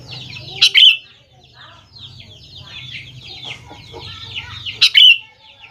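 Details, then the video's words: Lure recording of a Sooty-headed bulbul for young birds to answer. Two bright, loud chattering bursts come four seconds apart against steady background chirping from many small birds. "BURUNG KUTILANG GACOR | dijamin 100% nyaut GACOR kutilang muda anda"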